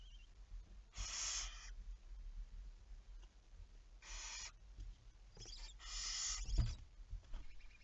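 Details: Barn owl screeching at 23:34 on 11 May 2019: three harsh, noisy hisses, the last doubled, separated by quiet gaps with scattered clicks and a low knock.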